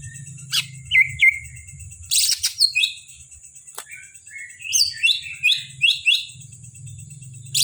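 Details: Greater green leafbird from Kalimantan, kept caged, singing mixed phrases: short whistles, a harsh burst, then a series of quick rising chirps repeated about twice a second, with low hum in the background.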